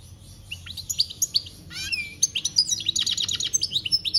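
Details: European goldfinch song recorded in 2021: a fast, liquid stream of high twitters and tinkling whistles, with a buzzy rasp in the middle, becoming denser and rhythmic toward the end, over low hum.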